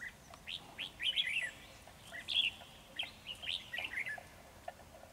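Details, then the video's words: Ché red-whiskered bulbul at a trap, puffed up and outsinging the caged decoy: rapid clusters of clear, slurred whistles and chirps in short phrases, repeated with brief pauses, with faint rustling behind. "Bẫy chào mào Ché căng xòe áp đảo mồi"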